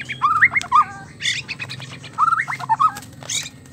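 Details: White-rumped shama mating sounds meant to get a male singing: a short whistled phrase of looping notes given twice, about two seconds apart, with brief scratchy high bursts between them over a low hum.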